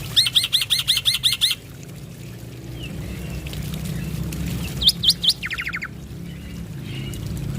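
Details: A male Black-winged myna (white starling) in full song gives a quick run of about eight bright whistled notes, then a short burst and a dry rattle, over a steady low rumble; meant to prompt other mynas to sing.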